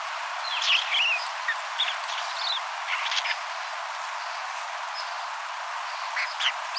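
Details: Island Scrub-Jay, North America's only island-endemic bird species, giving its soft muttering: brief chips and squeaky bits at irregular intervals, fairly high-pitched, over a steady hiss.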